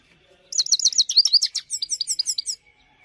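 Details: Himalayan goldfinch singing a clean-voiced song: a two-second burst of rapid high twittering and buzzy trills, with quick rising and falling notes repeated in fast succession.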